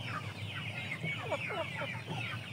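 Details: Many chickens from an aseel, shamo and Saigon ganoi breeding flock give rapid, high, downward-curving peeps and chirps in a dense overlapping chorus over a low steady hum.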